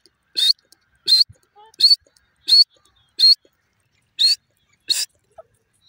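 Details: Kept grey francolin giving loud sharp rising call notes, repeated roughly every two-thirds of a second, seven in all, in otherwise quiet surroundings.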